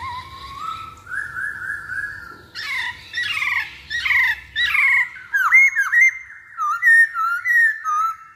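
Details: Lure song of a masked laughingthrush for prompting other birds to sing. A slow rising whistle leads into harsh, scratchy bursts, then a string of sharp whistled notes repeated roughly once a second.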